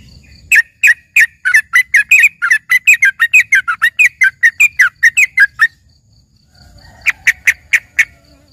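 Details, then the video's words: Trucukan isian, a tutored yellow-vented bulbul sounding like a greater green leafbird in full voice: a fast, continuous run of about thirty varied bright chirps and whistles over five seconds, a pause, then five sharp chirps. "dengerin suara trucukan isian ini serasa bagai punya burung cucak ijo gacor"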